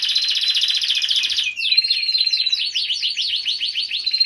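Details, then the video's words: Canary song used for training other songbirds: a dense, rapid rolling trill, then a fast series of sharp rising-and-falling swept notes repeated several times a second. "Kumpulan Vidio Kenari Ngerol parah Pas Buat Masteran kesayangan Anda."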